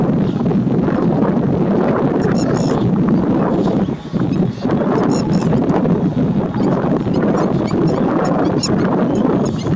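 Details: A large flock of lesser flamingos doing a group courtship dance display gives a dense, continuous chorus of low honking and murmuring, with a brief lull midway and faint wind noise.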